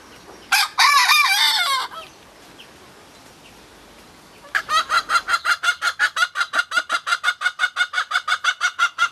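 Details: A hen in a Normandy forest garden on a sunny, cold day makes a half-hearted crow as a dominance attempt from deep undergrowth: a short, strained, wavering crow just over a second long, then a long run of quick regular clucks, nearly three per second.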